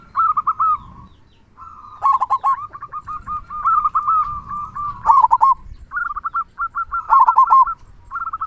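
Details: Actively singing local zebra dove with a big 'kung' voice, used as a lure to prompt other doves to sing; loud rolled, stuttering coo bursts alternate with steady level cooing, phrases crowding one another almost without pause.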